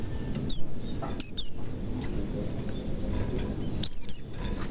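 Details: White-eye lure in ngalas style meant to make silent birds sing: a few scattered, thin, falling high chirps, one a quick double, separated by long quiet stretches with low background rumble.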